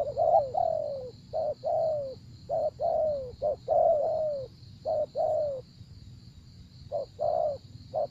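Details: Spotted dove cooing in a rapid series of short and falling notes, then a pause and two more phrases, over a steady high tone.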